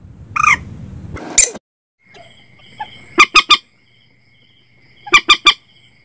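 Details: Common Moorhen call for setting nets after dark: a grating squawk and a rough burst start things off, followed by two crisp triplets of sharp, staccato notes separated by quiet.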